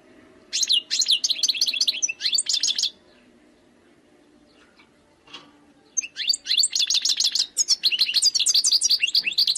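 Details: Wild European goldfinch song: two bursts of rapid, tinkling high twitters and buzzy trills, separated by a few seconds of near silence.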